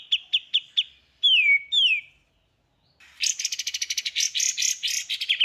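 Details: Training song for caged songbirds in 'tembakan' style: four short clipped whistles, two downward-slurred whistled notes, a second of silence, then a long harsh rapid trill of pulsing buzzy notes.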